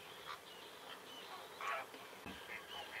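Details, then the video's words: Flamingos calling at dawn in the Diaccia Botrona Nature Reserve, Italy: short nasal goose-like honks, a few loud bursts over a continuous chorus of distant calls, with a steady high hiss in the background. "Fenicotteri all'alba"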